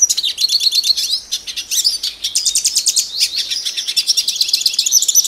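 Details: A Brazilian Hooded Siskin sings a fast, continuous twittering song of high, buzzy trills and chattering notes, with no other sounds.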